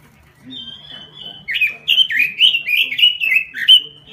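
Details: Robin singing gacor (vigorously) inside a small cage: a thin sustained whistle opens, then from 1.5 seconds a lively series of looping, up-and-down warbled notes, ending on a held whistle; light low hum.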